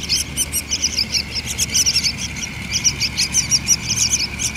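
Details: Yellow-vented bulbul nestlings begging while being hand-fed: a steady stream of high, sharp chirps, several per second, rising and falling in loudness, with faint low hum beneath.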